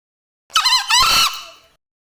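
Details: Crowing male green junglefowl: one harsh two-part call lasting just over a second. A scratchy opening note leads into a loud, raspy, wavering phrase that trails off quietly. The background is otherwise silent.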